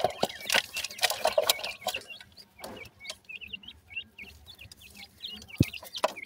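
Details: Partridge chicks being fed: rapid strings of high, slurred peeps repeated in bursts, with sharp knocks and scratching noises in between.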